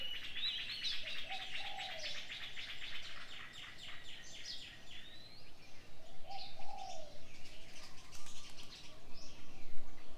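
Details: Mixed birds singing in the morning: fast rattling trills and high whistles, with low cooing phrases twice and a constant low rumble beneath.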